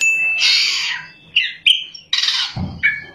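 Oriental magpie-robin in full song: a run of loud, rich whistles and harsh buzzy notes, rising and falling between bursts, with a faint low thump beneath.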